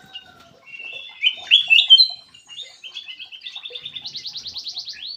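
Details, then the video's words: Lure call of a black-crested bulbul: loud, clear slurred whistles building into a fast run of repeated bright notes that climb higher, with a quiet background. "SUARA PIKAT KUTILANG EMAS"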